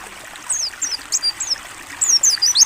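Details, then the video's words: Mountain white-eye 'ngalas buka paruh' song from a training recording: scattered faint high slurred chirps growing into a quicker run near the end, partly masked by louder trickling water. "AUDIO MASTERAN PLECI NGALAS BUKA PARUH JERNIH + TERAPI AIR"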